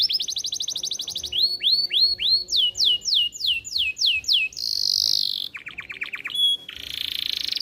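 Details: Very vocal canary, whose song is meant to teach young birds and arouse females for breeding, delivering a fast high trill, rows of looping downslurred whistles repeated about three per second, a rough buzz, a quick rattle, then a scratchy ending.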